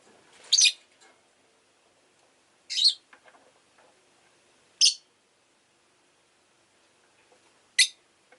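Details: Rosy-faced lovebird giving four piercing, shrill chirps spread over about eight seconds. Each is a short, harsh burst with quiet gaps and faint clicking in between.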